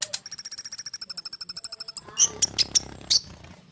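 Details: Konin bird in a rolling song used to lure sunbirds into answering. It opens with a fast, even trill of ringing high notes lasting about two seconds, then a few sharp, scattered chirps.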